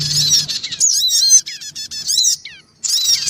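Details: Black-winged cuckooshrikes, male, female and young, call excitedly in a bird-luring recording: a thick rush of high twitters, then a run of descending slurred notes, a short gap, and the chatter resumes.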